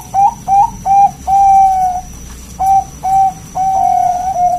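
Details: Zebra dove of local stock in full song, its voice called round and crystal-clear, kept as a lure and master for other birds: a run of short, ringing coos, then a long drawn note, more coos and another long note.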